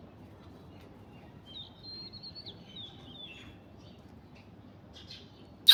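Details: Alexandrine parakeet perched on an orange tree, giving a thin, wavering chirped call that slides up and down for about two seconds, followed by a sharp loud click at the end.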